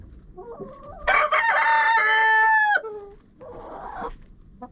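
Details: Chicken in a coop, recorded with a GoPro set inside: a loud sustained rooster crow of about one and a half seconds, rich and harmonic with an abrupt falling finish, then a softer rough call and quiet rustling.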